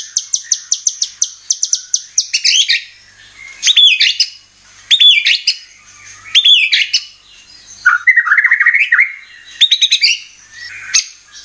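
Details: White-rumped shama (murai batu) lure to stir birds into full song: starts with quick repeated high ticks, then loud varied phrases of slurred whistles and chattering notes with brief pauses between.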